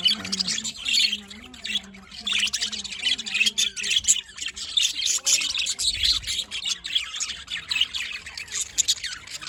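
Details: Continuous budgerigar chirping in the morning: dense, gritty warbles and fast tweets overlap without a break, over faint low wavering tones.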